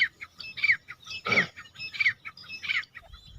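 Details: Partridge giving a steady series of harsh, chirping notes, about one and a half per second, with a louder broad burst in the middle and faint low background rumble.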